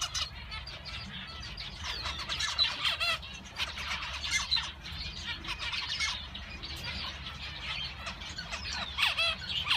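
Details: Male zebra finches calling together, a continuous busy chorus of short nasal chirps and rising squeaky notes over a constant low rumble.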